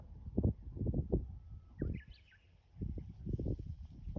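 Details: Song of a Japanese bush warbler at Mount Yahiko: a thin, level whistle followed by a rapid, rising-and-falling run of bright notes. Loud low thuds come before and after.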